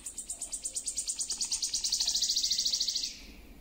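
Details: Wood warbler (Phylloscopus sibilatrix), song.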